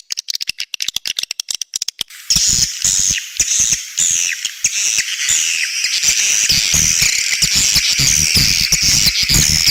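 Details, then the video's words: Edible-nest swiftlet sound for outside use, linked to swiftlet houses and bird's nest: two seconds of sharp rapid clicks, then a dense, unbroken chorus of high, shrill twittering chirps overlapping without pause. "เสียงนอก นกนางแอ่น"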